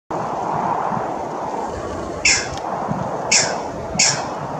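A green heron gives three sharp, harsh squawks, each about a second apart, over a steady rushing background noise.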